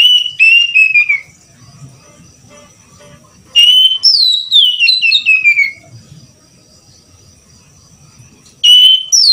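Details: Oriental magpie-robin (kacer) kept by a hobbyist. Loud pure whistled phrases slide downward in steps. The phrases come in three bursts separated by quieter pauses with faint background murmur.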